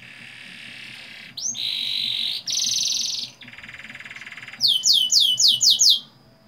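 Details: Lure recording of canary song with long rolls, meant to set young canaries singing. A sustained high buzz leads into two loud buzzy rolls and a lower rattle, and ends in a rapid run of downswept whistled notes.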